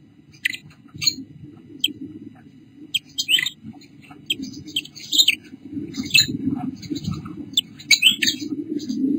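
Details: Pet pink Bourke's parrot female with her two babies, 8 July 2014 (or 7 August), 5:43 pm, gives short, high chirps and twitters in uneven bursts, about one every two seconds, over a steady low indoor rumble.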